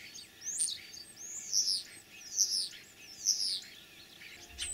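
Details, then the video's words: Common starling singing in spring, mimicking other birds, in Kalyazin district, Tver region, Russia, on 9 April 2023; three high, clear phrases of sweeping whistles and short upslurred notes, repeated about every second and a half over quiet background. "Кого передразнил скворец?.."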